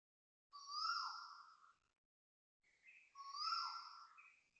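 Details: Asian koels at Toa Payoh Lorong 8, Singapore, at 6:13am on 13 November 2025 give two loud, quavering, rising vibrato calls about two seconds apart, with thin high-pitched chipping notes sounding over them.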